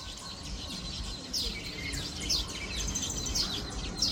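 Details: Weavers building hanging nests near Grand Baie, Mauritius, chatter with high, buzzy chirps and sharp squeaky notes every second or so, over a steady hiss of background noise.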